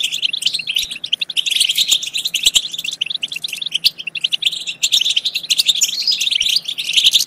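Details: Excited European goldfinch song for stimulating goldfinches to sing and mate: sustained, busy stream of bright twittering and buzzy trills, rising in intensity near the end.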